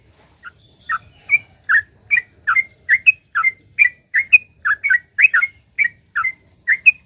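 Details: Sooty-headed bulbul in its long chattering 'gacor ropel panjang' song for prompting others to sing; an even, rapid run of crisp rising and falling whistled notes, two to three per second, continuing without a break.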